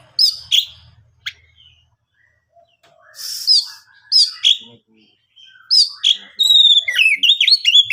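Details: Oriental magpie-robin song to provoke rival birds into singing: scattered sharp whistles and chirps, a buzzy burst, then a fast sequence of rising and falling looped whistles.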